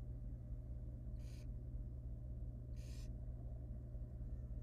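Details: Wild barn owl nest with three hatched nestlings and a dead one removed and eaten by the female. Two short, harsh hissing screeches sound about one and a half seconds apart against a low steady hum.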